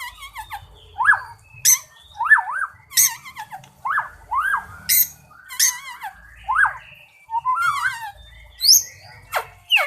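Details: White-rumped shama, an energetically singing contest bird said to be ready for competition, delivers loud varied phrases: rich swooping whistled notes rising and falling, sharp high clicks and chips, and rapid warbles, separated by short pauses.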